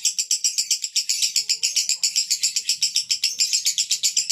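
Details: Male lovebird sings konslet style, a rapid, grating series of high pulses around four per second, steady and continuous.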